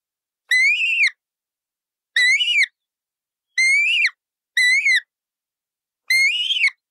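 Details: Colourful parrot screeching five times at uneven intervals, each call harsh and nasal with a slight rise and fall in pitch, against complete silence.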